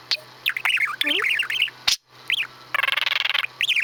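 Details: Male pet budgerigar in mid-repertoire of mimicked farting sounds gives squeaky warbled phrases, then a buzzy, rapidly pulsed noisy stretch that resembles a raspberry, followed by more chatter.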